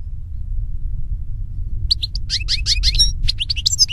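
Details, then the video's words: European goldfinch (Carduelis carduelis) singing outdoors: after nearly two seconds of low rumbling background, a quick run of high twittering, chirping notes and short buzzy trills begins and continues to the end. "Birds Singing - European Goldfinch"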